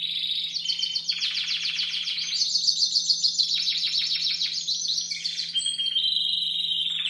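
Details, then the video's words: Young Timbrado Español canaries bred in 2015, singing as a group in competition cages during training in late October to early November, repertoire not yet fully formed: dense rolling metallic trills shifting between high and lower tours, with a steady low hum. "Εκπαίδευση νεαρών Timbrado Español"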